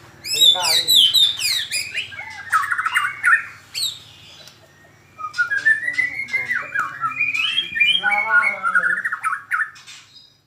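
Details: Loud, sharp song from a young long-tailed white-rumped shama: dense, varied phrases of slurred whistles and rapid chirps, then a short pause and a second long run of rising and falling warbled notes.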